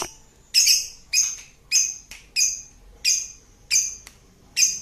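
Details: Lovebird in ngekek singing style: sharp, harsh high chirps repeated about every half second to second, seven bursts in a steady, even series over a quiet background.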